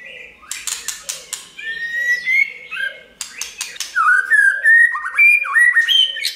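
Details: Singing white-rumped shama with a clicking song, used to prompt birds to sing: a run of sharp clicks, then rising and gliding whistles, more clicks, and a string of looping whistled notes over a low hum.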